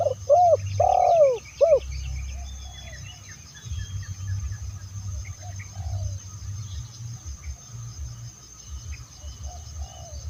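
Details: Spotted dove cooing, recording used to lure other doves: one loud phrase of short arched coos and a longer falling coo in the first two seconds, then only a low rumbling hum with faint distant coos.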